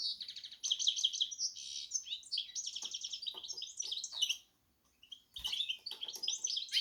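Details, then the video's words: Hybrid of goldfinch and canary delivering a continuous high warbling song of chattering trills and sharp chips, broken by a brief pause before the twittering resumes; faint low knocks beneath. "hybrid Carduelis x Canary"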